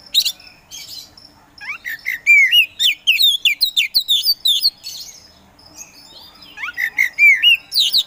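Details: Contest-bred kacer poci magpie-robin in loud, continuous song meant to stir silent birds: cascades of sharp, high slurred whistles and rising notes, with a quiet pause before a renewed whistled burst.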